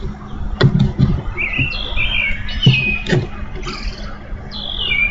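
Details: Songbird near an eagle nest, recorded 04/08/14 on a live nest camera, giving clear whistled slurred notes that drop in pitch, a few spaced phrases, with low hum and occasional knocks.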